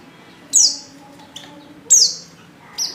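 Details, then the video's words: Two strong, high, falling chirps and a weaker third note. A female white-eye in heat is calling for a male. "Pleci | betina | Birahi Memanggil jantan"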